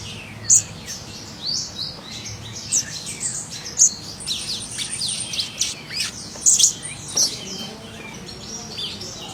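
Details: Scarlet minivet singing in the wild: a steady stream of high, thin chirps with brighter sharp notes standing out every second or two, set against busy background twittering.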